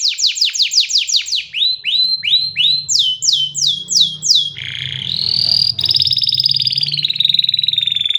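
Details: Canary singing a series of falling whistled notes in quick tours, then shifting into a rolling, buzzy trill; a faint low hum sits underneath.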